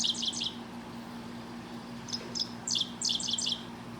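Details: A male Dickcissel sings its name, 'dick-ciss-el', as it does from wires along gravel roads: a quick high chipping burst, two sharp notes, then a stuttered run of dry, buzzy 'ciss' notes over a low steady hum.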